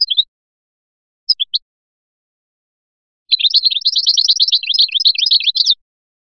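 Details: European goldfinch of the Biskra type singing the Feliachi style: a few short high chirps, a pause, then a dense rapid burst of twittering, tinkling notes lasting about two and a half seconds.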